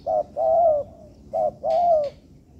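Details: Tekukur (spotted dove) cooing for bird training in an artificial yard: two short-then-long pairs, a clipped note followed by a sustained, level, mellow coo, with a soft rustle during the last coo.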